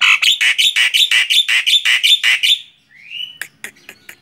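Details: Javan myna, a tame bird on the hand, chattering in a fast run of about a dozen harsh, even notes, then a rising whistle and several sharp clicks.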